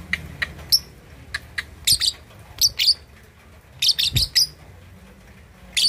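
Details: A lovebird 2.5 months old, learning to chatter, suited to provoking rivals: scattered sharp high chirps and short squeaky bursts with gaps between them, over low background hum.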